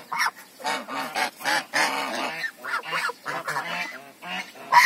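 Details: African geese trading repeated nasal honks, roughly two or three per second, uneven and overlapping, each call harsh and harmonic.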